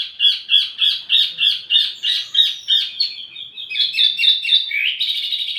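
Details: Wambi mini song for luring and tutoring tledekan birds: a rhythmic string of bright chirps, about three per second, fading, then turning into a busier, higher twittering warble.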